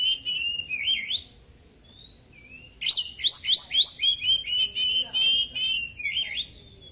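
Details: Oriental magpie-robin with a white breast, kept caged and recently moulted, delivering a varied song stuffed with small-bird mimicry: a few trilled whistles, a soft pause with faint notes, then a fast run of sharp chirps and steady high whistles.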